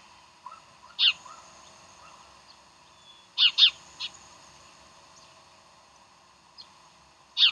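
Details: Bald eagle at Decorah on the morning of 15 January 2012, giving high, thin, squeaky chirps: one at one second, a quick pair near three and a half seconds, a softer note, then another near the end, over steady hiss.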